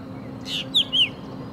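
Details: A drongo in India gives a brief harsh rasp followed by two clear, high whistled notes that rise and fall, about a quarter second apart, over a faint low hum.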